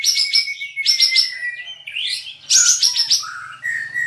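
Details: Caged cream-vented bulbul (kapas tembak) in an online songbird contest, from Singkawang, West Kalimantan: bursts of rapid, buzzy high chattering notes, with a long steady whistle beneath, then shorter falling whistles and chirps.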